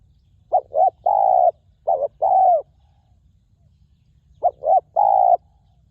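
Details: Resonant wild spotted dove luring to a ground decoy, repeating a three-part phrase three times: two brief clipped notes then a long, even, hollow coo, with a longer pause before the last.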